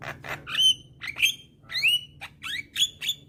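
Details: Young black-winged starling singing steadily while nodding, used as a lure for lazy starlings: harsh broadband rasps followed by a run of sharp, rising-then-falling whistled notes, about one and a half per second, over a low steady hum.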